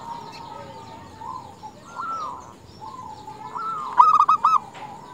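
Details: Female zebra dove calling males: soft, distant cooing from several doves for four seconds, then one loud, quick burst of about five clipped, purring coo notes near the end.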